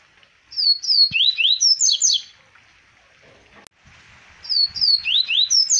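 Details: Double-collared seedeater recorded in Arapiraca, Alagoas, Brazil, in 2020, singing two rapid strings of sharp, high whistled notes with swooping slurs, broken by a short pause containing a brief click.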